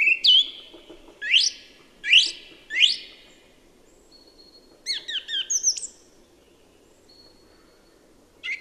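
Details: Single song thrush from Birmingham and the Black Country, mimicking-sounding song: three loud rising swept whistles repeated in quick succession, a pause, then a cluster of high twittering notes and another phrase starting.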